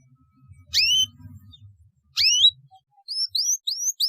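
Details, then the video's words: Canary song meant to coax young birds into singing: two separate sharp swept chirps with gaps between them, then a short run of quick rising whistled notes, with a soft low rumble underneath. "KENARI GACOR DURASI PANJANG, PANCINGAN JITU RANGSANGAN DAHSYAT UNTUK PAUD BELAJAR BUNYI"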